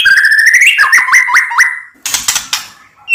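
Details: Singing white-rumped shama, played to provoke other shamas to sing: a run of rapid rising whistled slurs repeated several times per second, followed by a harsher chattering burst and a closing upward whistle.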